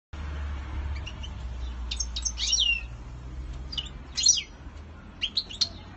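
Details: European goldfinch in courtship display, singing short bursts of bright, liquid twittering notes with quick rising and falling slurs, separated by brief pauses, over a steady low background hum.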